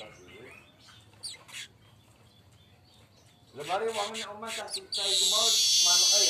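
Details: Golden-headed streaked weaver, vigorous song: faint scattered ticks at first, then a burst of harmonic chattering notes, giving way to a loud, sustained buzzy hiss.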